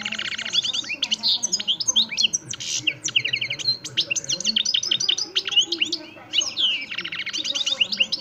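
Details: Continuous, lively goldfinch song from Extremadura, Parva de Montijo type: dense streams of high tinkling notes, buzzy trills and chirps pouring out without a break.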